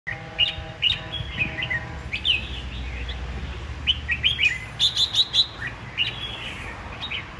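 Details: Caged Red-whiskered Bulbul, nearly a year in the cage, sings lively, bright phrases of quick whistled chirps, bursting out in rapid clusters every second or so over a low background hum.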